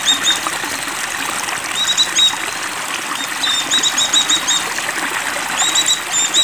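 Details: Oriental white-eye in breeding condition singing high, rapid bursts of thin chirping notes in several separate phrases, over a steady trickling-water background.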